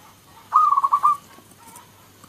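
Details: Local zebra dove (perkutut lokal) calling alongside others: a single brief phrase of rapid, rolling cooing notes lasting under a second, followed by a faint, quieter answering coo.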